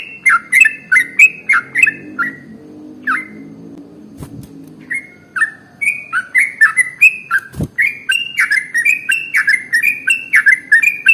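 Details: Sooty-headed bulbul (trucukan) in long 'ropel' song meant to prompt other birds to sing: quick whistled two-pitch notes, broken by a pause with two sharp clicks midway, then resuming in a dense run over a low hum.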